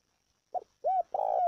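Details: Cooing of a spotted dove, played for training decoy birds: a short note, a pause, then a clear arched coo and a longer sustained coo running to the end.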